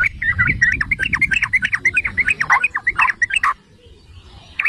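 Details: Yellow-vented bulbul song used to make other bulbuls sing: a quick burst of bubbly, chattering notes lasting about three seconds, then near silence and one last note.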